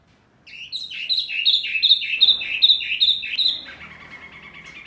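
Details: Noisy mini wambi bird irritating other birds: steady series of quick, high, hooked chirps, about three a second, fading into softer rapid twitters.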